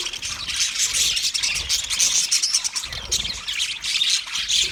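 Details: Budgerigars, 29 February 2024, chattering together in a steady, bright, high-pitched twitter with thin whistled squeaks layered over it and a soft low background hum.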